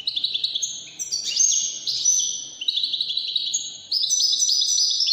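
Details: Moroccan Wydani-style song from a European goldfinch, with rapid liquid twitters and chattering trills. A brief dip in loudness comes mid-way before the bird resumes with strong, high, ringing phrases.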